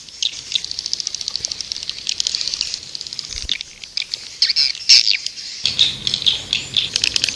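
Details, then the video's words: High, thin twittering and rapid clicking chirps from swiftlets, a fast ticking series at first, then louder squeaky trills. "Suara Burung Walet"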